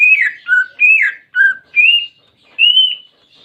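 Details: Pet greater green leafbird (cucak ijo) song used to coax a silent bird: loud clear whistles alternating high falling slurs and lower level notes, about six phrases in three and a half seconds.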